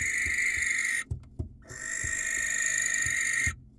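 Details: Wild barn owl on a nest camera in Israel calling to attract a female: two long, rasping, hissing screeches with a brief gap between them, over soft knocking and scratching sounds.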